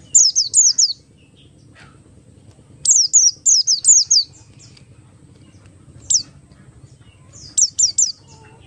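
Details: Buxtoni Oriental white-eye, ngalas style, used to draw song from other white-eyes: rapid runs of three to five high, downward-sweeping whistles, then pauses and shorter bursts, over a low rumble.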